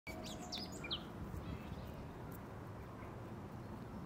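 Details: Common starling (Sturnus vulgaris) song, Tivoli Landscape Park, Ljubljana, 19 April 2024: a quick jumble of squeaky whistles and chirps in the first second, then fading under a steady low rumble.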